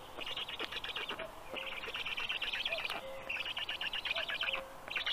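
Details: Young black storks being fed at their Estonian nest, evening of 15 June 2022; rough wheezing bursts run together in long raspy strings, broken by short pauses, with a faint thin tone in the background.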